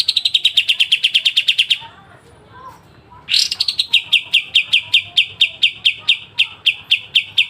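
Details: Pied triller (kapas tembak) sharp besetan masteran song: a fast train of high chips, about a second and a half of quiet, then a loud rising harsh burst and repeated notes that gradually spread out.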